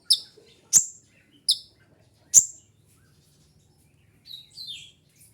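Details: Four sharp high chips from a kolibri ninja sunbird, used for luring and mastering, followed by quieter thin downslurred twitters near the end.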